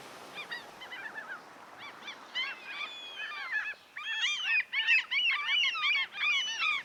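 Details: Gulls gliding in the wind over the sea, alongside pigeons: a chorus of repeated, harsh, yelping cries, arched and rapid, growing louder and denser, with steady sea noise beneath.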